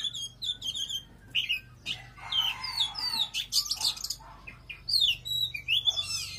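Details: Oriental magpie-robin singing forcefully, a varied stream of sweet whistles, sharp upslurs and quick twittering notes running almost without a break.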